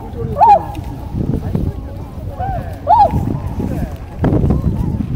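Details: Tundra swan with two clear, nasal, bugling honks about two and a half seconds apart, among low rumbling, splashing and wind-like background noise.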